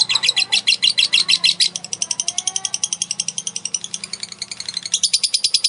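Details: Long ngekek trill from a female lovebird, a prompt for other lovebirds to sing: loud fast chatter that softens in the middle, then swells again at the end, each note crisp and high.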